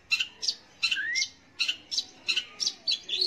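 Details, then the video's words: Long-tailed shrike singing to coax young or non-singing shrikes into song: paired harsh chattering notes repeated in short bursts, with a soft rising whistle and a falling one underneath. "kicau BURUNG CENDET / PENTET untuk PANCINGAN."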